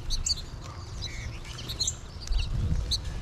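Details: Flock of American goldfinches in late March; scattered high chirps and short rising twitters, some clear upslurred notes, with a steady low background rumble.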